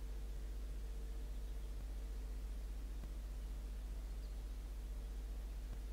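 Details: Steady low hum and broadband hiss fill the evening recording, with no animal calls audible.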